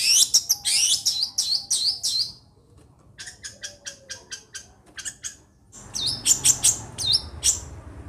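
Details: Long-tailed shrike from Situbondo singing fast, high, scratchy chirps and sweeping notes, breaking into a quieter, thinner passage midway before resuming loud chattering bursts over low background rumble.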